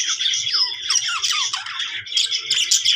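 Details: Pet budgerigar making happy sounds indoors: a continuous, chattering warble of rapid squeaky notes and downward-sliding whistles, with brief scratchy clicks, filling the small room.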